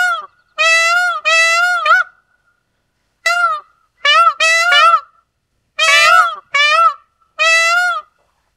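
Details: Indian peafowl (Pavo cristatus) calling repeatedly: loud, brassy, nasal honks in paired and triple bursts, each about half a second long with strong overtones, separated by brief silences.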